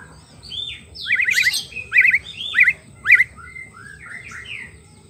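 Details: White-rumped shama song used to lure wild birds: swooping whistles broken by tight rapid trills of four or five notes, repeated in short bursts, ending in softer sliding whistles.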